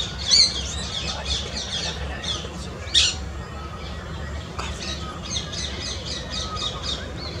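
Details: Adult spotted owlet calling outdoors with loud harsh squawks at the start and near three seconds, followed by strings of rough chattering notes. A low background hum runs throughout.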